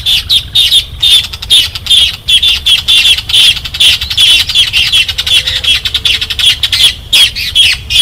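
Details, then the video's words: Rufous Cacholote (casaca-de-couro) of northeastern Brazil giving a loud, harsh, scratchy chattering song: rapid squawky notes tumbling in uneven bursts about two or three per second, with sharp high clicks and a faint low hum underneath. "vamos ao canto da casaca de couro"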